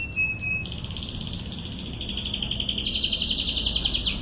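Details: Canary song in the rapid-fire style known as tembakan ngebren, recorded for masteran (tutoring other birds). A few short high notes open into a dense, continuous, very fast high trill that holds steady and grows slightly louder, over a low background hum.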